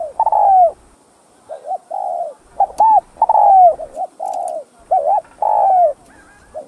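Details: Vietnamese spotted dove in urgent 'thúc gù' cooing, used to lure and stir other doves: a long falling coo, then two short bowed hoots and another croon, the phrase repeated twice with a quiet gap between.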